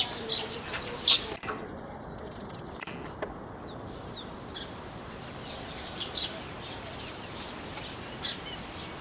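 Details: Sunda white-eye (pleci buxtomi) in a mini aviary, recorded Friday 1 November 2024, described as always singing busily; very high, thin chirps in quick runs, densest over the last four seconds, with one sharp isolated note near the start.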